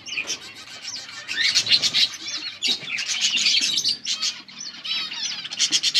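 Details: Several colourful budgies chirping together in a dense flock chorus: overlapping warbled, chattering notes and rapid clicks, with short wavy whistles rising and falling, broken by brief pauses.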